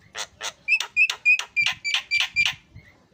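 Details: Javan myna in full chatter, calling back and forth as training material for songbirds: a fast, fairly even run of about ten harsh, nasal notes, roughly four each second, each with a bright whistled core.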